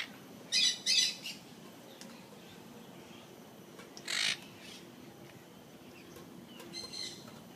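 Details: Golden conures at Jurong Bird Park: a quick cluster of three rasping squawks, then a lone louder screech midway and a fainter one near the end, separated by low steady background hiss.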